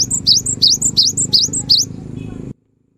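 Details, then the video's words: A cinereous tit sings energetically, a recording meant to spur silent birds to sing: a run of about seven bright, sharply rising two-part whistles repeated quickly and evenly, against low mechanical hum that cuts off abruptly. "Suara GELATIK BATU GACOR"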